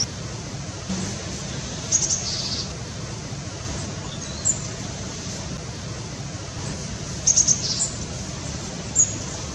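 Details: In mid-October 2016, a Japanese pygmy woodpecker in a park along the Kanda River in Suginami, Tokyo, gives a few thin, very high squeaky notes, some in quick pairs or triplets, over a steady rush of water and distant city noise.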